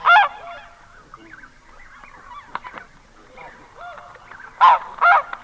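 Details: Close-up of one red-breasted goose: a sharp honk opens, soft clicks and chatter follow, then a tight pair of shrill, squeaky honks near the end.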